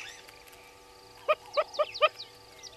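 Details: Southern red-billed hornbill at Gowrie dam, Djuma Game Reserve, South Africa, after a short quiet spell, utters four quick hollow clucks in under a second, each ringing and full-toned, with faint bird twitters around.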